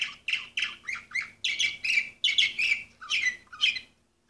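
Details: Orpheus canary, 2014 bird number 24, giving loud, repeated chirped syllables at a steady pace of about two per second. The phrase ends with a few rising, upturned notes, then falls quiet.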